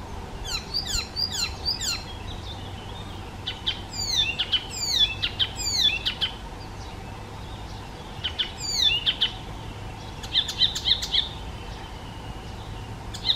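Icterine warbler singing a fast, varied medley of high sweeping whistles, chattering notes and harsh squeaky phrases, delivered in quick bursts with brief pauses.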